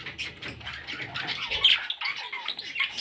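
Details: Budgerigar chicks give short, raspy high squeaks and chirps in quick succession, with a couple of sharper peaks.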